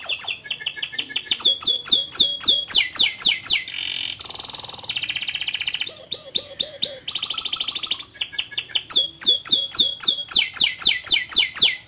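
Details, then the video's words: Canary singing a long, lively song: runs of quick downward-sweeping whistled notes repeated several times a second, broken by buzzy rolling trills in the middle, then more rapid sweeping notes. "Suara Burung Kenari Gacor Panjang Cuit Cuit Teerrrr"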